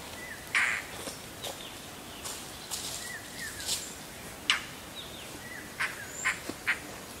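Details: Indian roller calling with a run of harsh, grating bursts and short clipped chirps at uneven intervals, some overlapping, against a faint hiss.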